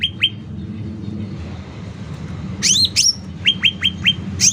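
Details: Actively singing sooty-headed bulbul, loud tutoring and lure recording: a pair of sharp high whistles followed by a quick series of short clipped descending notes, with more whistles, over a low rumbling background.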